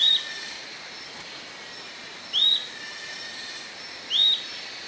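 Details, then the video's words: Song of the Atlantic royal flycatcher. Clear rising whistled notes repeat roughly every two seconds against a constant background drone of high buzzing. "Canto da MARIA-LEQUE-DO-SUDESTE"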